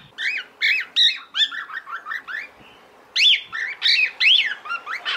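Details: Female cockatiel calling to the male, apparently in breeding condition: a rapid jumble of squawky, upslurred chirps, some doubled, tumbling out several per second with brief pauses between bursts.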